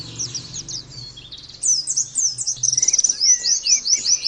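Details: Thin, high twitters from an Oriental white-eye build after a quieter start into a fast pulsed trill and sweeping whistled notes. The song is meant to coax other birds into energetic singing.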